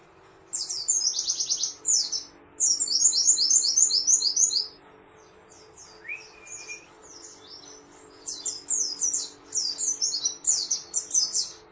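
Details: Pleci song in bursts of quick, high, twittering notes, repeated in fast runs with a short break midway where a single level whistle appears; faint steady hum in the background.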